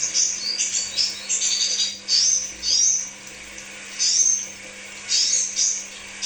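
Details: Crimson sunbird singing as a pancingan lure: bursts of high, thin chirps and brief upward-sweeping notes separated by short pauses, with a constant faint low hum.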